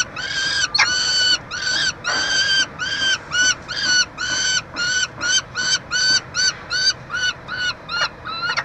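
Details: Peregrine falcon at a nestbox at the University of Montreal, Quebec, Canada, during chick feeding on 22 June 2023; harsh, wailing calls with strong harmonics, rising then flattening, repeated about twice a second in a steady series.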